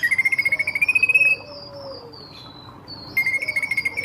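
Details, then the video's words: Ashy drongo in full song, used as a lure for nearby birds: rapid, evenly pulsed high buzzy notes run in a fast series, broken by a long thin descending whistle, then the pulsed series resumes. "SRIGUNTING GACOR PANCINGAN BURUNG SEKITAR"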